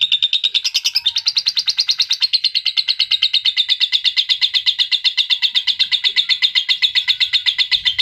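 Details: An adult lovebird delivers a sustained high trill, heard in a recording intended to stimulate adult lovebirds; the dense, rapid, evenly spaced pulses run without pause for eight seconds, with a brief pitch jump near the start.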